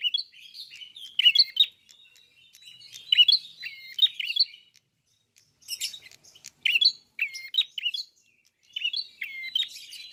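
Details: Red-fronted prinia in full song, bill wide open: repeated phrases of sharp, high chirps mixed with buzzy notes and clear falling whistles, each phrase about a second long and separated by brief pauses.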